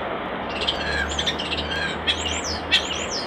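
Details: A common starling sings by a nest box, a jumble of high whistles, clicks and rasping squawks, with sharp descending whistled slurs near the end over a low steady hum.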